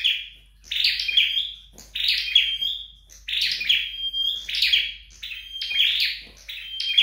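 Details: Home-trained flowerpecker singing: sharp, high twittering bursts each trailing into a thin sustained whistle, roughly six phrases at irregular spacing, quiet room.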